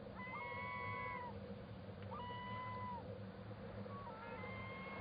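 Black scoter giving three mellow, drawn-out whistles, each rising briefly then held for about a second, over a steady low rumble of water or engine noise.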